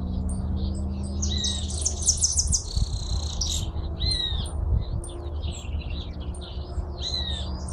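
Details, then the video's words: High, sputtering twitter from a hooded siskin, opening with a buzzy rattling trill, then scattered sharp chirps and down-slurred whistles over strong low-pitched background noise. "Jilguero argentino"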